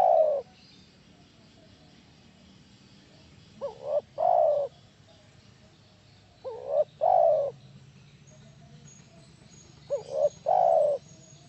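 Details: Lure call of a spotted dove meant to make other doves reply: a clipped coo opens, then three phrases spaced about three seconds apart, each two brief rising notes and a drawn-out, slightly falling coo.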